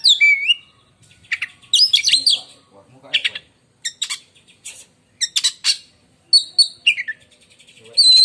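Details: Caged oriental magpie-robin from Indonesia in full contest song, described as long and shrill like a lightning strike; bursts of harsh scratchy notes alternate with clear whistled phrases and short pauses.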